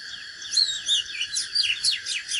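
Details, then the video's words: Fighting song of an Oriental magpie-robin, said to be from a natural bird. A continuous run of clear whistles, upslurs and sharp downward sweeps is heard against a constant high-pitched hiss. "KÍCH LỬA chòe than || Chích chòe than HÓT ĐẤU CHIM TỰ NHIÊN"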